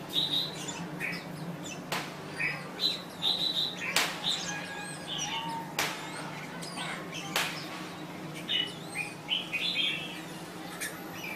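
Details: Thai-type red-whiskered bulbul repeating clear whistled phrases among several loud sharp knocks or clicks, with a low continuous hum in the background.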